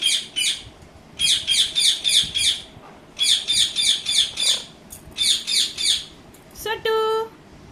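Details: Pet talking Indian ringneck parakeet, described as angry after attacking another bird, gives harsh buzzy squawks in rapid bursts of four to six, then a clear rising harmonic note near the end.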